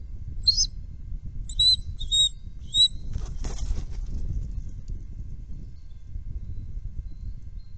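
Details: Bald eagles, a trio at their nest, react to a perceived threat, fly off and return: a few short, high, squeaky chirps in quick bursts, then flapping wings and rustling over a low steady rumble.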